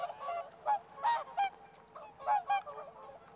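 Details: Whooper swans (Cygnus cygnus) in a flooded winter rice paddy near Kabukuri-numa wetland, Japan, give loud, trumpeting honks, about five nasal bugles in three seconds, over softer calling from others in the flock.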